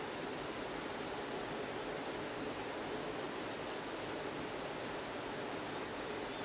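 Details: Even hiss of rushing water, like a waterfall or stream, steady from start to finish without any calls.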